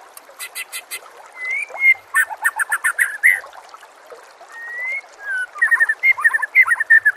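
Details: Training recording of white-rumped shama song over nature sounds and trickling water: loud chattering note clusters and high ticks interspersed with long clear slurred whistles, followed by fast repeated whistled phrases toward the end.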